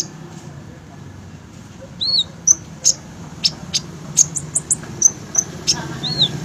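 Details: Captive olive-backed sunbird kept as a fighter bird, starting after two seconds of quiet with sharp high ticks and brief whistled downslurs, a final arched note near the end, low background hum throughout.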